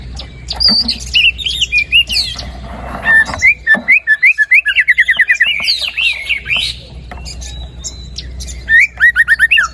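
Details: Lively white-rumped shama song, played to stir a reluctant bird into singing: scattered high whistles and trills, then a fast burst of clipped repeated notes, a pause, and another quick run of sharp notes.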